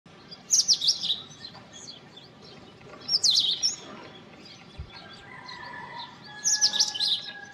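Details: Indian robin singing: three short bursts of sweet, high warbled phrases with sharp down-slurred notes, separated by pauses of about two seconds; a faint steady whistle of another bird in the background.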